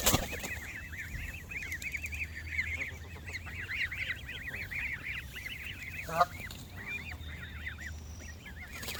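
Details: Canada geese gathered near the water keep up loud, continuous honking, many nasal arched notes from multiple birds tumbling over one another, briefly thinning near the middle before the chorus resumes.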